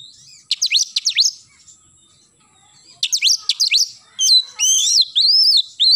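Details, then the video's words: Oriental magpie-robin singing energetically in the morning, with rapid clusters of sharp, high whistled sweeps, a brief pause, more quick notes, then a run of sustained, varied, ringing whistles. "KACER GACOR pagi hari nembak"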